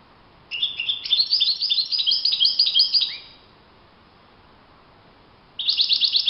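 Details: Goldfinch in open countryside, singing a long jumbled twitter of about two and a half seconds, closing on a lower slurred note; a new burst of twittering starts after a pause.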